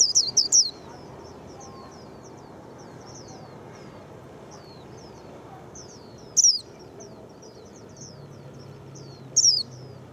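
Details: Japanese white-eye, described as quick to sing, keeps up soft, high twittering throughout. Louder bursts of sharp, descending notes come at the start and twice later, about three seconds apart.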